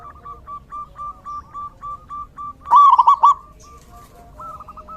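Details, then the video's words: Rainy-season zebra dove: a steady series of soft, repeated coo notes, broken midway by one loud, fast, bubbling burst, then a fainter trill. "Suara Terapi perkutut/Merbuk di Musim Hujan!!!"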